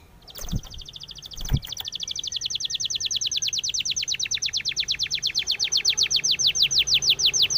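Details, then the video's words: Spanish timbrado canary training song: two sharp clicks near the start, then a long, steady trill of rapid falling notes that gradually slows and broadens over about six seconds. "SPANISH TIMBRADO SONG FOR TRAINING - canary training song"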